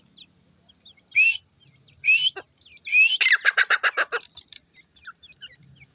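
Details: Francolin chicks: two short rising whistled notes followed by a fast run of harsh rasping pulses, with scattered faint peeps before and after.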